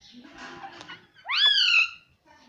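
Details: Pet parrot talking indoors: one loud, rising-then-falling harmonic squawk-like syllable lasting about half a second, preceded by faint rustling household noise.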